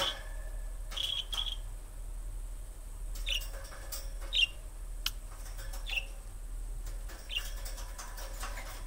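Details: Pet budgerigar excited by a new budgie, giving short clear chirps spaced irregularly, including a quick double note early on, over low background hum and occasional clicks.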